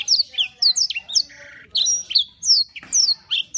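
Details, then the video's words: Canary gacor singing, a choppy series of loud, high, falling chirps and harsher buzzy notes, spaced irregularly, over a faint low background murmur. "KOMPILASI KENARI GACOR"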